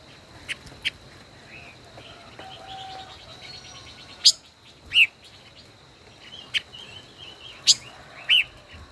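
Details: Caged decoy five-colored bird, over a year in the cage, in a singing duel: soft chirps early, then loud sharp chirps and downslurred whistles in the second half, over a thin constant high tone.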